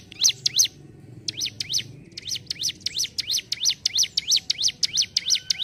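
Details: Ciblek gunung, or hill prinia, singing ngentrok: two sharp high chirps, a short gap, then a building run of rapid swooping notes around three per second. Low background noise.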